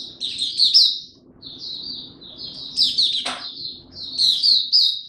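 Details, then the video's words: Kept Oriental white-eye singing in buka tiong style while ramping up form: bursts of high, rapid, twittering notes in phrases about a second long, separated by short pauses, with one sharp click near the middle. "Mata Puteh Dagger ramp up form buka tiong aw sing"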